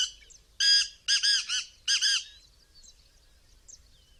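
A black francolin gives a harsh, grating phrase of six rasping notes, one then three then two, over about two seconds, followed by faint chirps in the background.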